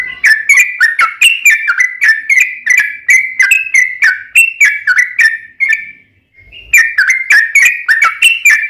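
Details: Long, rapid yellow-vented bulbul song played to coax other bulbuls to respond: fast chain of clicky whistled notes, several per second, a short break midway before the run resumes.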